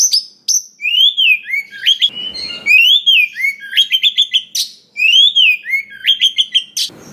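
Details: Song of a wild-caught Oriental magpie-robin, packed with fill-in phrases to provoke singing and aggression in other birds. Arched whistles lead into fast stuttered chip runs, the pattern repeating three times with a short rasp between.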